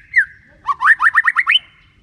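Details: White-rumped shama singing a clear 'ngeplong' lure song meant to draw reluctant shamas into song: one slurred whistle, a pause, then a quick run of six rising whistled notes, each sweeping upward.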